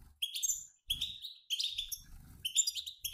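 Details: Twittering from a mixed-sex group of European goldfinches, like a passing flock, meant to encourage males to sing; short bursts of bright, high chirps and sliding notes separated by tiny gaps, with soft low thuds.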